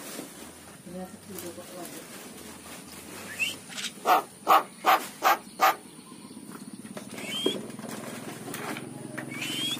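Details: Javan myna said to have forgotten its natural voice: a run of five loud, evenly spaced harmonic notes in the middle, with faint rising whistles before and after.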